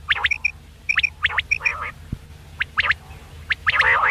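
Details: Quail (batair) calling at night, used as a hunting lure: short, sharp high notes in quick pairs and triplets, with lower nasal, harmonic calls overlapping and a brief low thump midway.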